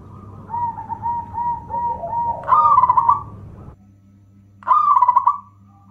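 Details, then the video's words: Local zebra dove song meant to entice other doves and get quiet birds singing: soft wavering low coo, then two loud rolling trilled bursts with a pause between, over a faint constant hum. "SUARA PERKUTUT LOKAL ( PEMIKAT AMPUH PERKUTUT MACET BUNYI )"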